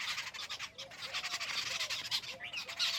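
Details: Jungle babbler with loud, rasping, scratchy chatter running throughout, over faint, low, soft curved notes in the background.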